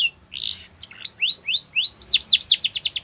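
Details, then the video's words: Yellow canary singing in the wild. A few rising whistled sweeps accelerate into a quick series of sharp, high, downslurred chirps. "Yellow Canary Singing In The Wild"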